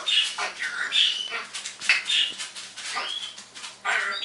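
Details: Pet parrot, a happy bird in the morning, mimicking sound effects and words: a run of short, bright, squeaky chirps and whistled bursts, some rising, uneven and closely spaced, with faint low hum beneath.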